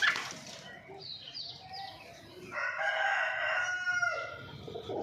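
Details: Domestic chicken around mating, a loud sustained rooster-style crow with a rich harmonic tone lasting over a second, preceded by shorter broken squawky notes, with faint background noise.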